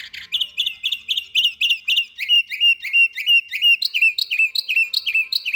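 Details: Canary song from Samarkand made of fast tours: a run of bright repeated chirps, then a second tour of down-swept whistled notes, then a third at a slightly higher pitch, each note repeated about three times a second.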